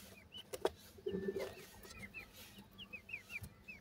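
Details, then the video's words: Grey francolin chicks, or gora teetar, from India making soft, high, curling peeps in a loose series, with a short buzzy rattle and a few knocks in the background. "grey pheasants chicks sweet awaz,indian gora teetar chicks"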